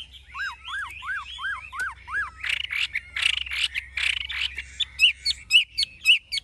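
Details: Wild-caught adult Chinese hwamei, kept caged, sings its forest-style song. It opens with six evenly spaced, looping downslurred whistles, then runs into a burst of buzzy, dense notes and ends with sharp, rising whistled notes repeated about twice a second.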